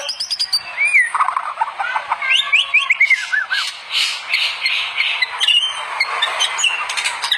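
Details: Energetic white-rumped shama song compiled for training other shamas: high rattling chips open, followed by tumbling slurred whistles and dense, varied twittering phrases, with faint background hiss.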